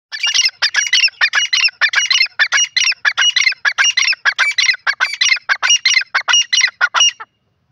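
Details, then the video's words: Grey francolin calling: a rapid, loud series of harsh, squawking notes, roughly one and a half per second, running unbroken for about seven seconds before stopping, with a clean, quiet background. "teetar ki awaz videos grey partridge bird voice"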